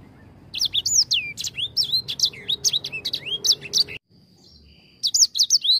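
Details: High, quick whistled phrases from a grey singing finch sung as a lure, with many upswept and hooked notes, stopping abruptly for about a second before resuming.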